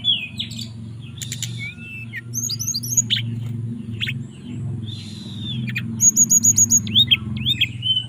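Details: Mountain tailorbird kept in a cage in Purworejo, Central Java, fluting to call a female. Whistled slurs and quick repeated high notes come in bursts over a constant low droning hum.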